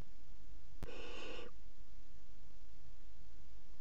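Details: Three young barn owls eating a mouse together at 01:30 at night on 30 June 2016. A single harsh, hissing, snore-like burst lasts about half a second against a quiet, steady background hum.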